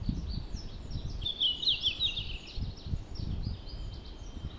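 A Red-flanked bluetail gives one short, high, whistled song phrase that wavers and then drops. Low rumbling wind and rustling run throughout, with faint chirps from other birds.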